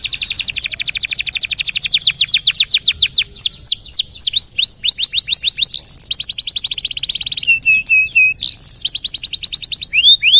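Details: Long continuous canary song, played as a master recording for teaching other songbirds: dense rolling trills of quick descending notes, then sharper sweeping whistles and a brief low steady tone before the trills return.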